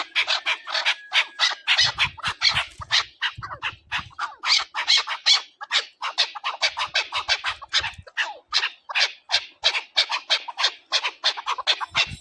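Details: Chukar partridge call linked to hunting, a long series of quick, grating chuk-chuk notes pouring out almost continuously, with brief soft low rumbles in the background.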